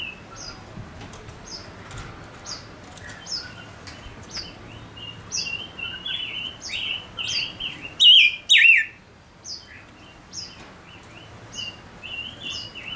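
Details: Singing male Gouldian finch kept as a decoy: a run of thin, high chirps and buzzy twittering phrases roughly twice per second, broken by two sharp loud bursts partway through, then softer chirping again.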